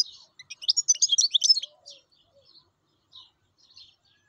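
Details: Wild European goldfinch song: a quick, bright cascade of high tinkling chirps and twitters lasting about one and a half seconds, then a few faint isolated notes.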